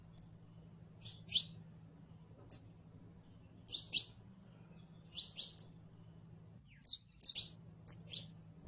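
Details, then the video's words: Saffron finch song: irregular high chirps and short whistles, sometimes single, sometimes in quick pairs or triplets, separated by pauses of a second or more, over a low steady hum. "CANARIO CRIOLLO (SICALIS FLAVEOLA)"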